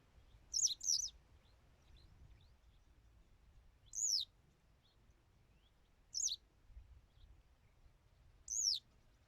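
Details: Western yellow wagtail: short high sharp descending notes, given singly or doubled, spaced about two seconds apart in a quiet setting.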